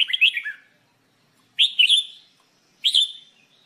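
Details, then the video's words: Singing-training recording of a red-whiskered bulbul, locally jambul bulbul: three short cheerful warbled phrases, each a cluster of quick rising and falling whistled notes, repeated about every one and a half seconds against silence. "Red Whikered Bulbul Jambul bulbul SINGING training"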